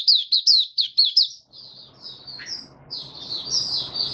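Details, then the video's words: White-eye in opening song, 23 March 2022, warm humid weather: a quick series of high chirps for about a second, then thinner, fainter twittering over a rising hiss of background noise. "Mata Puteh Kitaro Video 1 buka sing"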